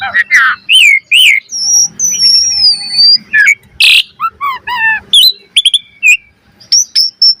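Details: Varied master song of an Asian pied starling for training birds: squeaky rising notes, then a long high thin whistle sliding down, a harsh burst, descending chirp series and scattered high squeaks.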